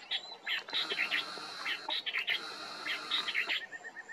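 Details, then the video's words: Marsh babbler at Maguri Beel, Assam, India, in December 2023, giving a busy run of sharp, high chirps and twittering notes ending in a short series of even, lower notes, over a faint thin high whine. "Marsh Babbler"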